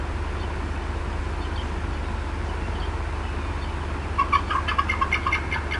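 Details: Agitated mother bald eagle at the Decorah North nest in April 2016. After a stretch of low humming background, a sudden burst of rapid, high chattering clucks arrives near the end.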